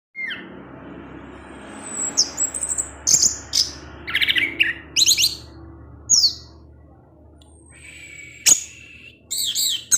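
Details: Orange-headed thrush singing in the 'teler' style in the evening, its song meant to provoke other thrushes: varied high whistled and buzzy phrases, quick sweeping notes and sharp chips separated by short pauses over a faint low hum.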